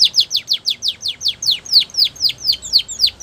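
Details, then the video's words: Belgian canary delivering a steady run of descending whistled notes, roughly six per second, evenly spaced and high-pitched, with little background sound. "The Best Canary Singing!! Belgian Canary Song"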